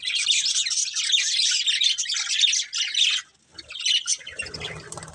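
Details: Colourful budgies of a breeding pair in a steady stream of scratchy, fast chirping for about three seconds, then a brief pause and softer chatter with low background hum.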